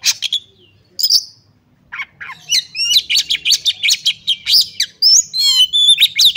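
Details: Oriental magpie-robin female calling a male to spur other males into singing; a few chirps, then a fast, uneven series of about twenty sharp chirped notes and bright slurred whistles.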